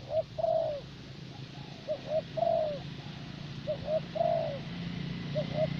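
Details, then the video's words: Caged spotted dove used as a luring decoy in Vietnam, thổ bầu type, repeating soft cooing phrases, each two short hoots followed by a longer sliding coo, roughly every 1.7 seconds, with a low background rumble. "Terkurkur លេងបានល្អបំផុតនៅវៀតណាម។ (Lý do tại sao thổ bầu lại là con mồi được ưu tiên chọn )"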